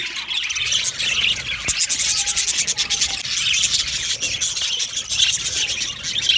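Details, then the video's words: Colony of budgerigars in an aviary chatters happily: constant shrill, scratchy twittering from many birds, a brief low thump near the second second, plus a few short whistled notes. "Budgies chirping sounds | Happy Budgies sounds"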